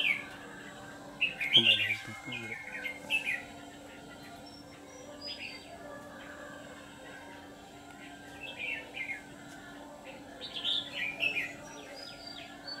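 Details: Red-whiskered bulbul decoy singing to lure wild birds into a trap, a white-cheeked ché-style singer; scattered short warbled phrases separated by pauses, a brief low rumbling noise near the start, steady background hum.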